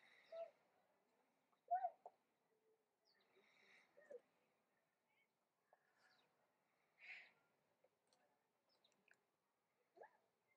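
Straw-necked ibis giving short, hoarse croaks and grunts at uneven intervals of one to three seconds, with softer muttering notes between.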